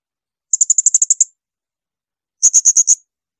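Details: Blue-crowned hanging parrot giving its 'tembakan melengking' shrill burst song, a recording used to tutor other songbirds: a rapid run of about eight piercing, very high notes, a pause, then five more equally sharp notes, with silence around them.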